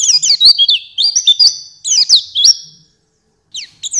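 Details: Oriental white-eye (pleci) master song used to train songbirds: high, rapid twittering phrases of sliding, zigzag notes, two bursts with a silent pause near the end before another short phrase.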